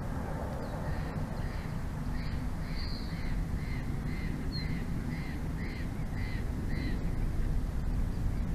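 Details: Bald eagles at their nest in Big Bear Valley, recorded 06/02/2024 at 22:33 by a live nest camera: a series of short, arched, whistled notes repeated about twice a second, over a steady low rumble of wind.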